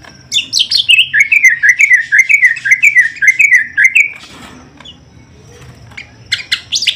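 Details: Greater green leafbird during the pairing of a male and female: a rapid run of chirped notes, each dipping and rising, repeated about twice a second and holding a steady pitch, then a pause before sharp high notes return.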